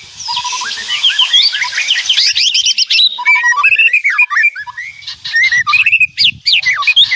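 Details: White-rumped shama, an energetic loud song mixing clear whistled steps, rapid chirps and sharp clicking rattles, with faint low background thumps.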